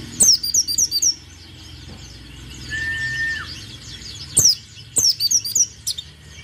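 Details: Energetic white-eye song intended to make competing birds sing and perform 'nembak' bursts; fast clusters of high, thin twittering notes open and close the passage, with a plain steady whistle sounding in between.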